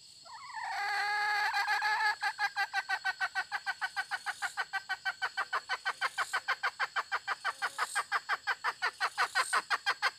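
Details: Hen starts with a drawn-out harmonic note, then breaks into a long, rapid train of clucks, about three per second, keeping a steady rhythm for eight seconds over a high insect drone.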